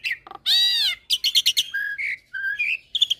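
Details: Asian pied starling in a masteran training mix with Nias hill myna and a Nias x Suren hybrid starling. Varied song: a long buzzy harmonic note, quick chattering bursts, then slurred whistles and sharp high notes.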